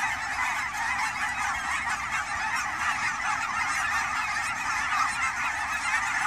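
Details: Migrating Canada geese at ponds near Forest Grove, Oregon, in fall; a busy, ceaseless honking chorus from many birds, even in volume.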